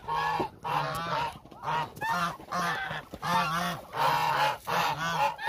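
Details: Hungry Muscovy ducks, a flock of around 1000 birds, give harsh honking calls in bursts roughly every second, each burst a cluster of overlapping nasal notes rising then dropping, separated by brief lulls.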